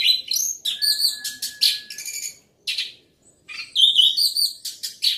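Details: Orange-headed thrush in strong, loud song: fast sequences of bright whistled and scratchy notes tumbling over each other, one steady pure tone beneath, short silences, then another dense rich phrase.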